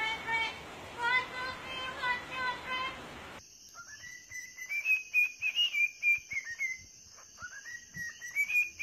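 A parrot whistles a series of rising and falling, slurred notes after a few seconds of talking-like voice sounds, with a steady high electronic whine behind.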